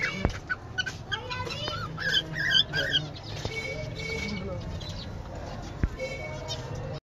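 A colony of zebra finches gives overlapping nasal, toy-trumpet beeps and chattering notes.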